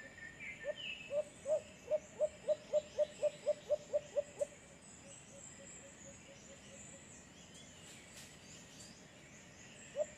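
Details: White-eared brown dove in San Pablo City, Laguna, giving a long series of about fourteen low, short hoots in quick even succession that fade out, one lone hoot near the end, over faint high chirping and a steady background hiss.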